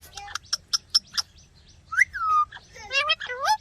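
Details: Ringneck talking parrot chirping: a few short clipped chirps, then drawn-out gliding whistles that rise and fall, ending in a cluster of quick, rising, overlapping squeaks.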